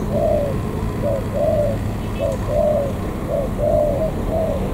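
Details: A wild-caught spotted dove from the An Giang border area of Vietnam gives soft, low, hollow coos in short-long groups, about eight notes in under five seconds, over a faint rumbling background.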